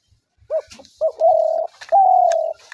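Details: Spotted dove calling, a sound used to draw doves into traps: two short low coos, then two long, steady, drawn-out coos, clear and close against quiet surroundings.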